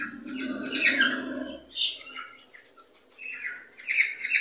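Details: Cockatiel song meant to encourage cockatiels to mate and breed; a loud harsh screech opens, then softer whistled notes and buzzy chattering phrases follow, with a low murmur underneath at first.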